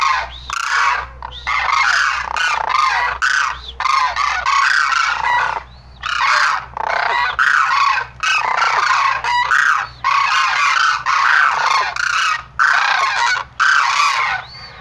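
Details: Sarus crane trumpeting in a long series of harsh, ringing bursts, roughly one per second, with several voices overlapping.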